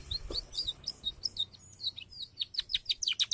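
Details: Canary singing: rapid high chirps and quick sweeping notes that speed into dense repeated trills toward the end, with a low background hum.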